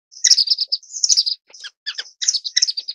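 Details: Orange-cheeked waxbill (Estrilda melpoda) uttering bright, high-pitched twitters in short clustered phrases, some notes dipping lower, spaced by small gaps across three seconds in a quiet setting.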